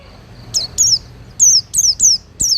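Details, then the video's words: Cage-kept Oriental white-eye, recorded for training other birds: a short series of six high, thin downslurred notes, clear and sharp, spaced irregularly over less than three seconds. "Masteran Pleci Durasi Panjang – Suara Halus dan Bertenaga!"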